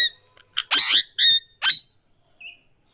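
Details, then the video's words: Indian ringneck parrot calling in its real voice: three loud, rasping squawks in quick succession, then a faint, thin note and silence. "Indian Ringneck Parrot Original Voice | Real Talking Sound | Natural Voice Long Video"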